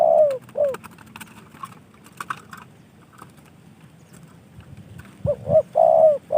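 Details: A kept spotted dove coos at the start and again at the end. Between the phrases there is a stretch of clicking and tapping noises. The coos are low and mellow, rising then falling.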